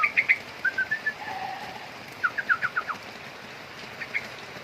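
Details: Juvenile sooty-headed bulbul: a few bright chirps and short whistled notes, then a run of about six quick falling notes, ending with a faint chirp after a pause.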